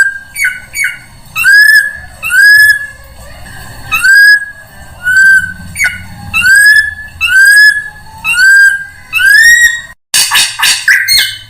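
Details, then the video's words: Drongo lure sound aimed at all kinds of birds: clear whistled notes, each rising then leveling, repeated about once a second, ending in a harsh, noisy burst of scratchy calls. "SUARA PIKAT SRIGUNTING UNTUK SEMUA JENIS BURUNG"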